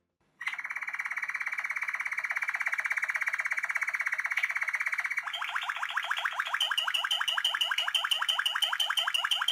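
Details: A Malinois Waterslager song canary sings its rhythmic, sweet, soft song with water-like notes: a long, even rolling trill, then fast bubbling rising notes.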